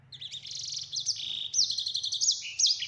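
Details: Short burst of ngeroll rolling song from a sanger (yellow-fronted canary): fast buzzy trills alternating with sharp rising-falling whistles, a low steady hum underneath.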